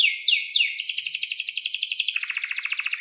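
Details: Singing canary in breeding condition with a long roll meant to coax young birds into song: a few sweeping high notes, then a sustained even pulsed trill that steps slightly lower near the end.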